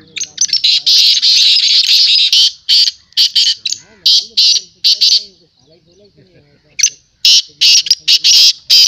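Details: Harsh, rasping high notes from black francolin at a calling tournament in 2022, delivered in long, rapid, uneven runs of bursts with a brief lull midway; faint male speech beneath.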